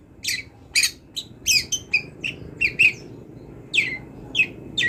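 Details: Long-tailed shrike, wild, in full varied song used to train songbirds: scratchy chirps and short downslurred whistles in uneven bursts separated by short silences.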